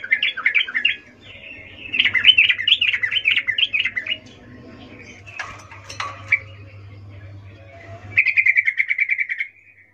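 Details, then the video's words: Sooty-headed bulbul, a female calling the male in mating season, meant as a lure to make males sing: rapid bubbling chattering notes in rolling bursts, a pause with a few sharp clicks, then a fast even trill of repeated notes; low hum beneath. "Trucuk BETINA memanggil Jantan Suara Birahi Ngecuplik"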